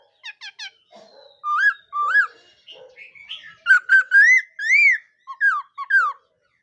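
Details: Laughingthrush practising its morning song: a few quick thin chips, then varied whistled notes, some rising, some arched, followed by a loud run of slurred whistles sweeping up and down, all clean against a quiet background.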